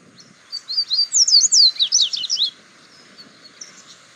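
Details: Wild double-collared seedeater singing free in nature, recorded on a mobile phone: a fast run of about twelve high, slurred, sweeping notes lasting two seconds, with a faint low background rumble.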